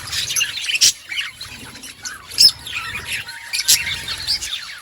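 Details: Budgerigars in an outdoor colony give softer, scattered chirps and warbled notes, with a few louder sharp calls at about one, two and a half, and nearly four seconds.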